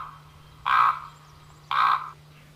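Two deep, gravelly 'korrp' croaks from a Common Raven, each about half a second long and roughly a second apart, over a faint low hum.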